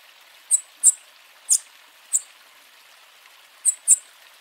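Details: A bananaquit warming up its song and call gives six very high, thin, sharp tsip notes, some in quick pairs, spaced irregularly over four seconds against a faint background hiss.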